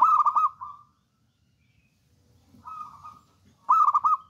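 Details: A bold local wild-type zebra dove sings in bursts: a loud staccato trill of rapid bubbling coos with a trailing note, a softer rolling phrase, then another loud stuttering burst; faint low background noise.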